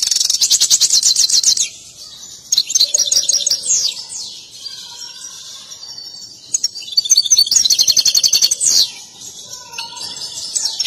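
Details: Excited, dancing European goldfinch with a mating song. Long bursts of dense, fast tinkling trills alternate with quieter gaps holding soft lower whistled notes, then renewed rapid chattering.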